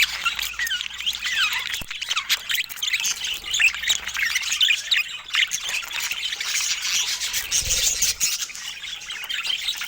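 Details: Several budgies chatter while sharing fruit, a fast, jumbled stream of high chirps, squeaks and warbled squawks, with a soft low knock partway through.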